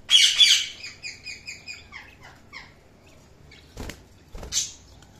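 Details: Budgerigars kept as pets giving a rapid series of short chirps, about four per second, falling away into quieter notes, followed by two brief rustling bursts.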